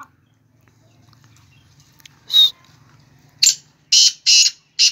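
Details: Black francolin calling: a few loud, harsh, broadband bursts after a quiet start, the first near two and a half seconds, then a cluster of short rasping notes in the last second and a half over a low background hum.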